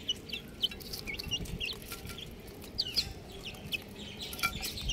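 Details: Baby chickens chirping: sharp, high peeps, some bending down in pitch, scattered unevenly through the clip over a faint low rumble, with occasional louder single chirps standing out.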